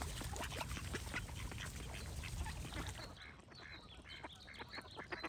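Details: Several ducks quack in a fast, uneven chatter of rasping notes, about two or three a second. A low rumble fades out midway, leaving the quacks over faint, high, whistled birdsong.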